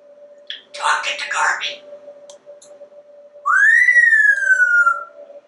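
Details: Talkative African grey parrot kept indoors at a home in Texas, hatched in 1997, gives a few rough speech-like syllables, then a long, loud clear whistle that rises and slowly slides down, over a steady low room hum.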